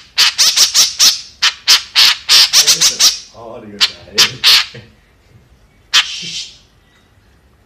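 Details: Fast string of rough, squawking notes from a white-breasted woodswallow (kekep), slowing into a few scattered notes with faint softer sounds mixed in, then a final single squawk.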